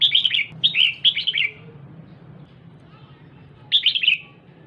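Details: Female red-whiskered bulbul calling to stimulate the male: three bursts of short, bright, slurred chirpy notes tumbling downward, the last after a quiet pause, with a low steady hum underneath.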